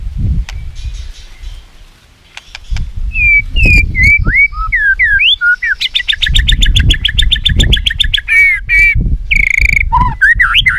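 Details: White-rumped shama, a caged songbird, in a song used to train other shamas: swooping looped whistles, a fast rattling series of repeated notes, then rich falling whistles, over steady low rumble.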